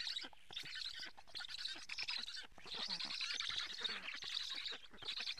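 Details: Black storks at their Estonian nest in Karula during a July fish feeding give continuous hoarse, buzzy, squawking calls, recorded by a live nest camera, with one short dip in the middle.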